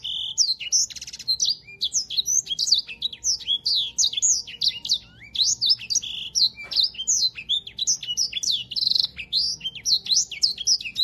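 A yellow-fronted canary sings a fast, unbroken stream of high, sweet chirps and twittering trills with sharp rising and falling notes. The recording is clean, with nothing else heard.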